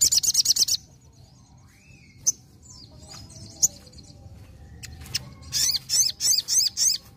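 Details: A sogon opens with a quick volley of sharp high notes, falls mostly quiet apart from faint scattered chirps, then resumes with a series of loud slurred whistles, spaced about three per second.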